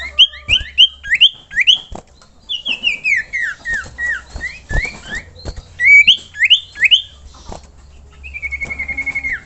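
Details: Common iora, kept as a songbird, used as a training song: loud whistled phrases of repeated downslurred and upslurred notes around 2-4k, sliding sequences, ending with a steady trilled whistle.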